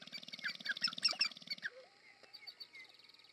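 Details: Sharp-tailed grouse courtship display in Montana's American Prairie Reserve, USA: quick low rattle and excited clucking for over a second, then a soft hollow cooing note that rises and falls, with faint chirps behind.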